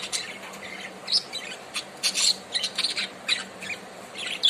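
A budgerigar chatters in quick, scratchy chirps and squeaks, high-pitched and broken into short bursts.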